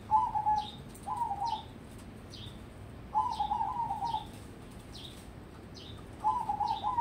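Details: Crossbred zebra dove being raised for song contests repeats short, trilled, gurgling coo phrases roughly once a second in bursts. Brief higher slurred notes come between the phrases over quiet background hiss.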